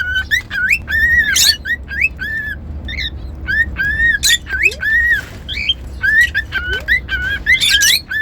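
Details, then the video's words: Pet cockatiel whistles: repeated short tonal notes, some arched and some rising, interspersed with brief harsh squawks and two faint lower upward slides. "Cockatiel whistling sounds"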